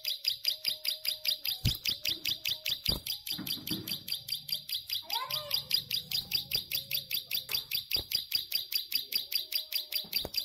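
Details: Plain prinia in full ngelik song, a long unbroken run of clipped, buzzy high notes repeated about two and a half times per second for over ten seconds, with a faint lower tonal whine and occasional clicks underneath.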